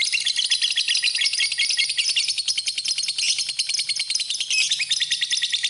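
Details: A lovebird's masteran song, a continuous, busy high chatter of rapid, scratchy chips and squeals, loud and steady throughout with quick pulsing notes.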